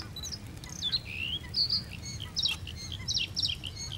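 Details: Male bluethroat (Luscinia svecica) sings to keep rivals away and tell females he is present: a quick, varied run of sharp metallic chirps, trills and buzzy notes, high-pitched and jumbled, over a low rumbling background.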